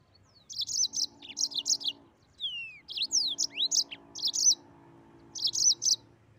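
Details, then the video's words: Energetic Mozambique canary 'ngeroll' song: repeated quick clusters of high, bright chirps, broken by a falling whistle and rising swoops, with a faint low steady hum in the background. "Burung Mozambik Gacor Ngeroll"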